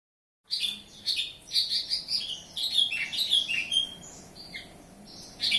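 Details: Horsfield's bush lark of a local Kediri, Java strain, singing actively: a fast, varied run of sharp chirps and slurred whistled notes, high-pitched, with short pauses between bursts.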